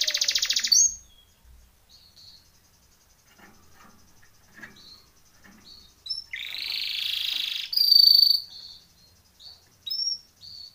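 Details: Timbrado canary training song: a short bright warble opens, then quiet stretches with faint ticks, a long buzzy rolling trill around six seconds, a high clear note and brief chirps near the end.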